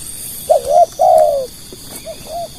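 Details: Spotted dove used as a lure bird to attract other doves, giving short, hollow, mid-pitched coos: a brief wavering note, then a longer steady one that falls at the end, followed by two softer short coos.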